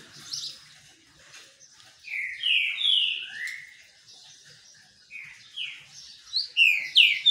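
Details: Sunbathing green-winged saltator delivering two bursts of loud whistled song, each a run of three or four rich notes sliding downward, separated by softer high notes.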